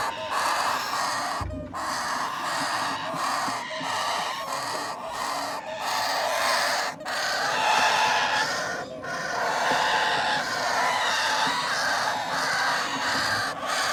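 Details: A group of parrot chicks being hand-fed beg with a steady, scratchy, rattling chorus, cut by brief silences every one to two seconds across the recording.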